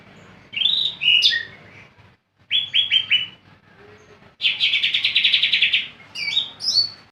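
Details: Greater green leafbird kept as a lively cage bird sings varied high phrases: sliding whistled notes, a quick set of descending slurs, a long fast rattling trill, then more bright stepped whistles, separated by short pauses.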